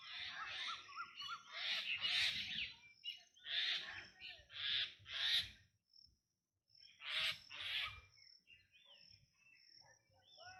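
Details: Black drongo uttering loud, rasping, broadband bursts in quick succession, then a short silence, two more harsh bursts and softer upslurred whistles trailing off at the end.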